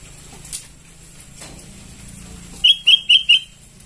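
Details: Sooty-headed bulbul chicks calling as a lure: after quiet rustling, a quick run of four short, even, squeaky chirps at the same pitch, evenly spaced near the end.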